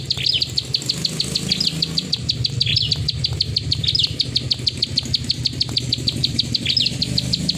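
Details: Plain prinia (prenjak sawah) delivering a klik ngacor song, a long, steady stream of dry clicks about six per second, broken by occasional brief twittered notes, with low humming noise underneath.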